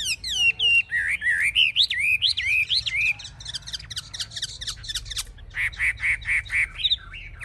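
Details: Caged Chinese hwamei singing while displaying with raised wings and spread tail, said to fight fiercely; rapid looping whistled notes wavering up and down, a pause with faint clicks, then five quick repeated notes.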